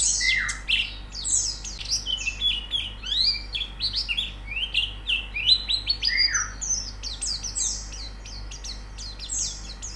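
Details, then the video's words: White-eye song used as training audio to make a bird sing: a long, varied flow of high twitters, sweeping downslurs and occasional lower falling whistles, steady throughout. "Terapi Pleci Cepat Gacor Buka Paruh"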